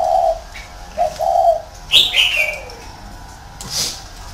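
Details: Caged spotted dove used as a decoy, kept in a round cage, giving low soft coos in the first seconds, followed by higher whistled notes of other birds over steady background noise.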